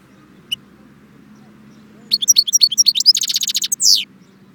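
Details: European goldfinch at Jbel Wahch, Constantine, giving a single high chip followed by a fast, liquid twitter that speeds into a dense trill and ends with a buzzy slurred note, over a steady low hum.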